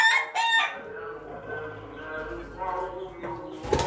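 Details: Morning crowing of an Ayam Ketawa rooster: short loud harsh notes at the start, a long quieter harmonic middle, and a sharp burst at the end.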